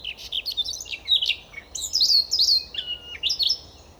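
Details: A Siberian rubythroat near Novosibirsk, Russia, sings a dense, fast medley of chirps, trills and ringing slurred whistles, including a few clear drawn-out whistled notes, sustained throughout four seconds in forest.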